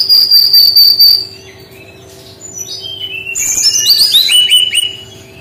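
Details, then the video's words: Brown-chested jungle flycatcher with a unique 'tembakan' singing style: a sharp, piercing whistle pulsing several times, a short pause, then a cascade of descending, tumbling warbled notes. "SUARA UNIK GAYA TEMBAKAN BERKICAU BURUNG SRDC"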